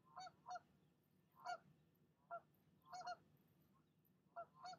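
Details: Mother goose on her nest scolding a visiting goose she does not want near it; scattered, faint, nasal honks in ones and twos with gaps of up to a second, over a low hum.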